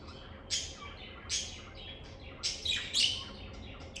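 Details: Lovebirds calling in a calm environment with high, buzzy chirps, single notes about a second apart, then a denser, louder pair of rasping calls.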